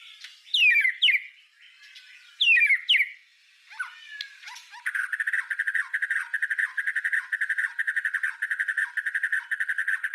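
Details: Master recording of white-rumped shama song for tutoring other songbirds: sharp falling whistled notes and scattered chips, then from midway a fast, steady, buzzy rattling trill repeated many times per second to the end.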